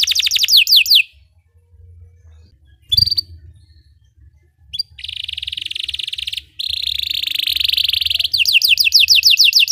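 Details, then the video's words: Belgian canary singing for canary training: short bursts of falling whistles separated by pauses, long buzzy rolling trills, ending in rapid descending notes. "Belgian canary singing makes your canary sing"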